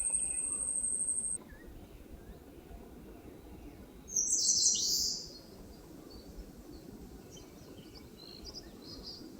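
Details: Eastern crowned warbler singing in forest at Palbongsan, Seosan, with a short burst of high, buzzy, rapidly repeated notes that drops at the end, preceded by a steady high insect-like whine and quiet background noise.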